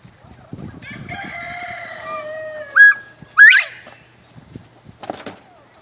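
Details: Georgia Giant northern bobwhites calling from their grow-out pen in the morning, seemingly hungry: a loud, clear two-note whistle, the second note sweeping sharply upward, after a drawn-out crowing-like farmyard call and low rustling.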